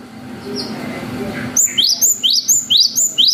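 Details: Cinereous tit in full song, a lure to rouse young birds into answering. A long wucit phrase begins midway after a muffled background: quick rising whistled notes, about three per second, each sweeping sharply upward.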